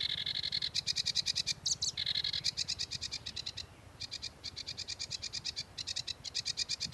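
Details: Sedge warbler in song, mostly long runs of rapid dry repeated clicks and buzzy notes about three per second, broken by a few grating phrases and a short pause.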